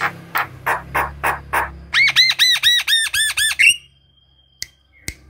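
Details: Lively Javan myna song for prompting other mynas to sing, ideally in the morning: five harsh broadband rasps followed by a quick series of looping arched whistles, a long thin whistle, then two isolated clicks.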